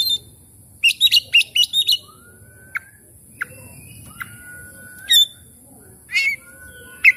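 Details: Oriental magpie-robin singing as a lure for a stressed, silent bird: a quick string of five harsh chirps, then spaced short notes and long level whistles, finishing with buzzy bursts.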